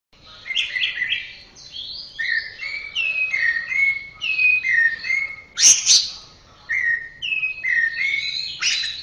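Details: Orange-headed thrush song used as a tutor recording for training birds: clear whistled phrases slurring between middle and high pitch, delivered in short varied bursts, with a sharp high burst just before the sixth second.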